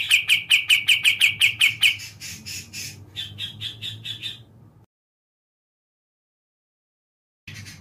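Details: Sooty-capped bulbul song played to make reluctant birds start singing: a fast run of about nine bright, clipped notes in two seconds, then harsher, buzzier phrases; the sound cuts out briefly before resuming.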